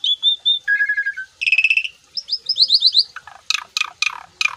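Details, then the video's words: Puffed-up Asian pied starling delivering a varied song rich in imitations: steady whistled notes, a lower trilled whistle, buzzy rattles, a quick series of rising chirps, then harsh scratchy notes. "JALAK SUREN GACOR FULL ISIAN MOMPA"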